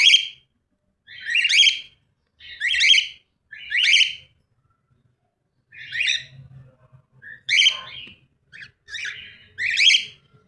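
Cockatiel giving bright, harsh chirped notes, about one each second, with quick warbled bursts near the end; a faint low rumble underneath.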